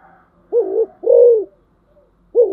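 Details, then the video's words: Spotted dove serving as a decoy bird, a short hollow coo followed by a longer smooth one, then a fresh coo starting after a brief pause. "tiếng chim cu gáy mồi, Rất bài bản"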